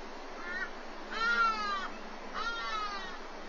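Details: Black eagle nest webcam, Walter Sisulu Botanical Garden, with an adult feeding its chick breakfast: three drawn-out, mewing, slightly descending wails, the middle one loudest and longest, above a steady rushing hiss.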